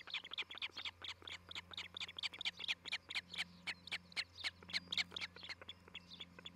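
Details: At a Charlo, Montana osprey nest on 11 July 2018, an osprey gives a long, fast sequence of shrill chirps that rise and fall in loudness. Low hum sits in the background.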